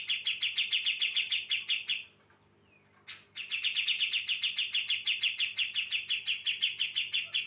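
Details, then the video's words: Female brown-cheeked bulbul from Java sings to attract males: steady rapid bright chirps, about five a second, a pause of about a second, then the same fast chipping resumes. "Pancingan Cucak Jenggot Jawa Betina Gacor Jantan Jantan Pasti Nyaut"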